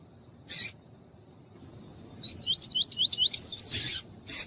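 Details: Double-collared seedeater singing, with a female calling, used to warm up males: a quick run of about eight looping whistled notes, rising then falling, followed by a sharper burst, with short broadband clicks before and after.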